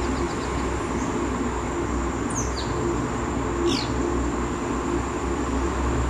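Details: White-collared Manakin (Manacus candei) in Costa Rica gives two brief, high, sharply downslurred notes about a second and a half apart, over a steady low rumble and a thin insect-like hum.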